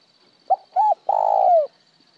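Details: One cooing phrase from a spotted dove, in a recording of 'một hậu' and plain 'trơn' calling styles: a brief soft note, a level hummed note, then a long buzzy coo that slides downward at the end.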